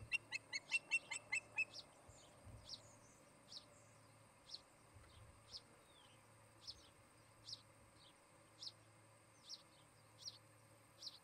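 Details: Osprey pair at their nest near Charlo, Montana, on a nest camera, 17 August 2018 in the afternoon: a quick burst of harmonic, piping chirps in the first two seconds, then sharp high ticks repeated about every second over faint background hum.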